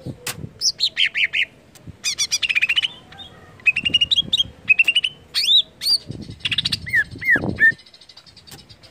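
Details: Greater green leafbird song, aimed at stimulating other leafbirds to sing: a fast, varied medley of descending whistles, dense buzzy chatter and twangy upslurred notes, with a few low knocks in the background.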